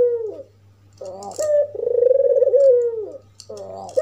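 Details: Red-eyed albino dove, all white, calling to agitate other doves: a descending coo ending, then a harsh short lead-in, a long throbbing coo that sinks at its end, and the start of another phrase. A soft hum runs underneath.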